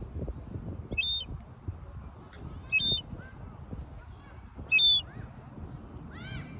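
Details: A lone baby seagull wandering and chirping as if seeking its mother: three loud, shrill, high chirps about two seconds apart, plus softer lower arched calls between them and near the end, against low background rumble.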